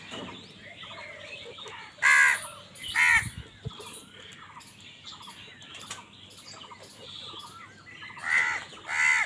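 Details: Crows squabbling with other wild birds for food: paired harsh, grating caws near the start and again at the end, separated by a stretch of twittering and whistled notes from smaller birds.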